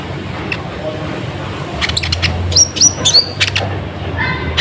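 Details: Lure song of Van Hasselt's sunbird for attracting wild birds. A quiet start gives way to a short run of ticking chirps and a few bright rising whistles, over low steady noise.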